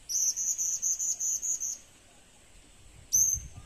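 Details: Kept as a future lure bird, a blue-crowned hanging parrot delivers a rapid run of about eight piercing, evenly spaced high notes, followed by silence and a sharp click.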